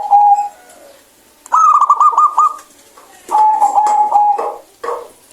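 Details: Local zebra dove song: a brief coo, then a rapid stuttering trill of notes, then a long steady purring coo with quick pulses, followed by a short closing note.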